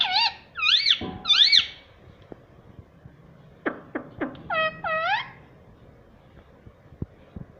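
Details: Talking pet ring-necked parrot indoors repeating words: three loud harmonic wavering syllables, a pause, then clipped clicks followed by two clear upturned speech-like notes.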